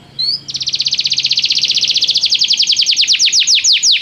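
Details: Canary song used to attract a canary to sing: a brief whistle, then a long rapid trill of repeated notes that gradually slows and becomes more sharply slurred downward.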